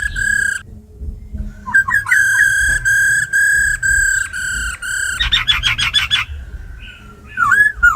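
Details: Kept laughingthrush singing wild forest-type song alongside a female's calls, meant to rouse other birds: one whistle, then a long string of clear level whistles, a rapid rattling series of repeated notes, and a swooping note.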